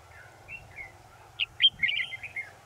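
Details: Red-whiskered bulbul singing: soft whistled notes near the start, then a loud burst of short, sweet, warbling phrases around two to four kilohertz in range, ending in rapid chirpy notes; faint low hum beneath.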